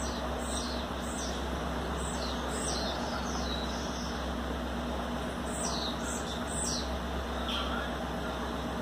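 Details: A 60-day-old captive-bred young blue-black grassquit (Volatinia jacarina) from Bangu, Rio de Janeiro, sings thin, high, buzzy sliding notes in small scattered bursts, faint over a steady low hum.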